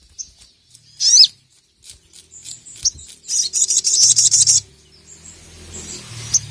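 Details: Sogon, the little spiderhunter, calling at a rival for training other birds: a loud descending squeal, sparse high ticks, then a fast stuttering run of harsh high notes fading into a low hum.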